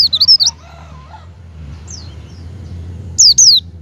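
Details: Lure call of a Javan white-eye for coaxing a kept bird to open its beak and sing: four rapid high descending whistles at the start, a faint note midway, then a closing pair of falling whistles, with a low background hum.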